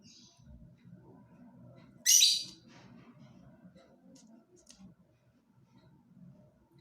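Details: Lovebird with a short burst of harsh, high chirping about two seconds in, followed by faint scattered ticks and a steady low background hum.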